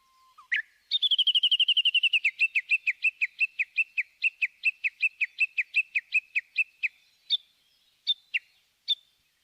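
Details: Japanese bush warbler giving a long run of short, sharp, repeated notes, fast at first, then slowing to about three per second before trailing off into a few separate calls.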